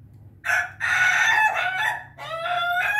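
A Bangkok chicken gives a hoarse, drawn-out crow in three linked bursts, a short opening note and then two long rasping phrases, over a faint low hum.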